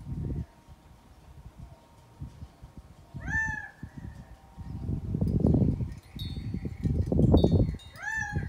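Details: Gambel's quail walking and calling in Scottsdale, Arizona; loud rising-then-falling nasal calls, one near three seconds and another at the end, amid low rumbling noise and faint chirps.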